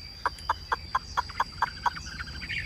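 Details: Chinese hwamei kept in a cage, singing in the 'ngũ trường' style: eight crisp, evenly spaced staccato notes about a quarter second apart, ending in a tumbling whistled flourish.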